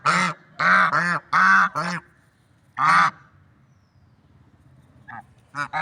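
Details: Nasal swan honks come in a burst of four, then one more after a short gap. Quieter, clipped honks follow near the end over soft background noise.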